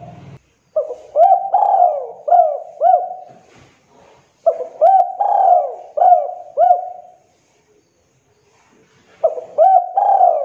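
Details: Female spotted dove calling a male, used to lure other doves into calling: three phrases of mellow, hollow coos, each with quick hooked notes and a drawn-out middle note, separated by short silences.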